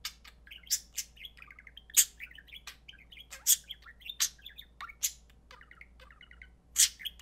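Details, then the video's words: Pet budgerigars, male, kept indoors, chattering while playing, with loud sharp chirps among soft, fast warbling murmurs resembling mimicked human speech. "Budgies are excellent mimics"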